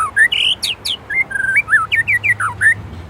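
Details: White-rumped shama, Indonesia, in a loud varied isian song: slurred whistles, wavering warbled notes and quick rising and falling sweeps in a continuous rich phrase.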